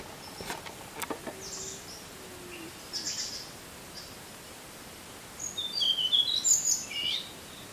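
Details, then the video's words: Tickell's blue flycatcher singing its type 2 song: a high, sweet, tinkling phrase of quick descending and rising notes near the end, after scattered faint chips and a thin whistle. "Tickell's Blue Flycatcher Song"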